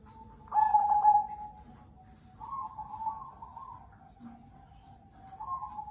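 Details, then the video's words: Cemani Kolbuntet zebra dove singing as a lure for other doves: a loud rolling coo near the start, then softer burred cooing notes linked by a steady thin tone, with a brief low hum between phrases. "perkutut CEMANI KOLBUNTET gacor suara mantul, pancingan ampuh"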